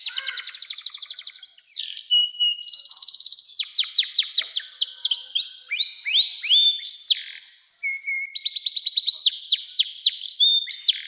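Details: Canary in long 'nembak' style song, meant to prompt young canaries and serve as a tutor: dense, high, varied phrases with fast buzzy trills, rapid downward-swept whistles and rolling rattles, continuous throughout.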